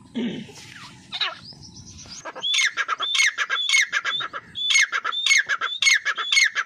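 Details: Grey francolin, known locally as dakhni teetar, calling with loud, shrill, ringing notes that rise and then drop. They come in quick, repeated bursts after about two seconds of low rustling and faint background sounds.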